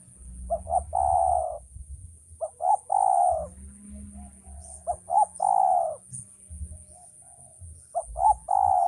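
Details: Repeated three-part coos of a male spotted dove: two quick short notes leading into a long hoarse falling coo, phrases roughly every two and a half seconds, with low rumbling noise beneath.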